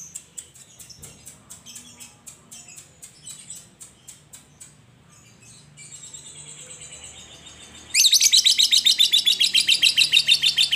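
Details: Lovebird ngekek used as a singing stimulus for other lovebirds: sparse faint high ticks and a soft wavering trill, then a sudden loud burst of fast, harsh repeated chatter for the final three seconds.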